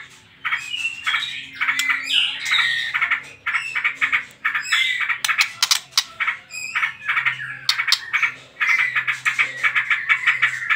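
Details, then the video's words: White-rumped shama singing trotol-style lure song to stir other birds into singing: long runs of rapid chattering and clicking notes with a few whistled phrases, steady low electrical hum beneath. "PANCINGAN TROTOL MURAI BATU"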